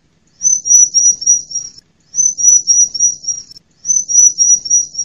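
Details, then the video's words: Call of a female bar-winged prinia, offered to coax a silent bird into singing and to lure wild ones in woods and gardens. A thin, very high rapid trill lasts about a second and a half and repeats three times with short pauses. "ciblek mu malas bunyi ..? segera pancing dengan suara ciblek mp3 ini ..!!"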